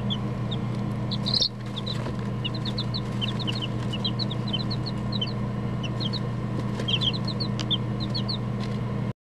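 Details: A box of chicks huddled together peeps almost without pause, with brief high cheeps in loose clusters, some doubled or tripled, spread evenly across the recording against a constant low mechanical hum.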